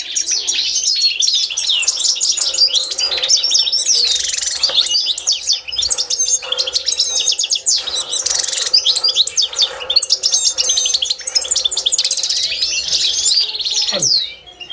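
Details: Constantine-style European goldfinch song used for training: long runs of fast liquid twittering and tinkling trills in bursts of a few seconds, steady and energetic, ending with a sudden low swoop and fade.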